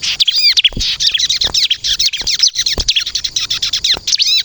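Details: Song of a bar-winged prinia (ciblek kristal) for luring and provoking other birds to answer: rapid high chirping with arched slurred whistles at start and end, almost without pause.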